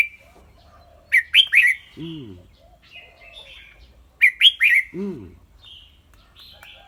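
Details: Red-whiskered bulbul kept as a cage bird, singing in a clear voice; two bright phrases of three rapid whistled notes about three seconds apart, each followed by a low, arching harmonic sound, with soft quieter whistles between.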